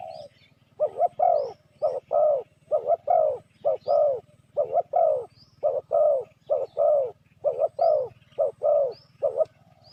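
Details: Spotted dove cooing meant to lure wild doves: a steady run of low, throaty coo notes in quick pairs and triplets, each rising then dipping, repeating throughout, with faint high whistled chirps from other birds in the background.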